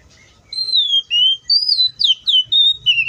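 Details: Wild Oriental magpie-robin singing a string of about seven clear whistled notes, each sliding downward, delivered rapidly one after another with tiny gaps. Faint low background noise.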